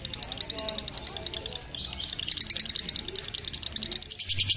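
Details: Lovebird giving a long 'ngekek' trill, used as a tutor recording for training young birds: dense, rapid, high-pitched chattering pulses running without break, with faint low background sounds underneath.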